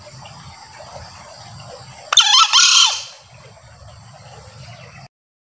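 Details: A male green junglefowl crows, a sound used to call wild junglefowl when hunting: one abrupt, harsh two-syllable burst, a quick first note and a longer screeching second note curving downward, amid low background hum.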